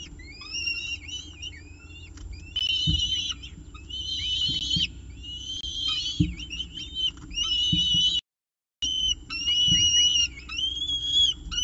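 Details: Peregrine falcon at the CSU Orange nest with its breakfast, 19 October 2018; series of wavering whining calls in grouped bursts, some sharp rising notes, intermittent knocks, brief gap, continuous low hum.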